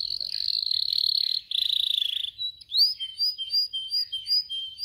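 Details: Training song of a canary for teaching canaries: a loud rolling trill broken by a short gap, then a string of separate rising whistled notes repeated about twice per second.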